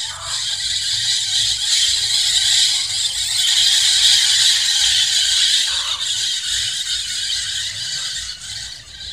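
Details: A large flock of scaly-headed parrots in a tamarind tree, apparently eating its flowers as they do there every year at this season, fills the air with continuous harsh, squealing chatter, many birds calling over one another rapidly.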